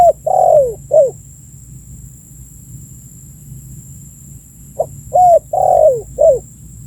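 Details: Spotted dove in a lure recording for attracting birds: two cooing phrases about four seconds apart, each a brief hoot, a rising coo, a long coo drooping in pitch and a falling last note, with quiet between.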